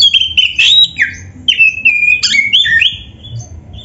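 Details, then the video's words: Oriental magpie-robin, a master-song recording for training birds: a short, rich sequence of slurred whistles, falling and rising, mixed with harsher scratchy notes, with hardly a break. "SUARA BURUNG KACER GACOR FULL MATERI"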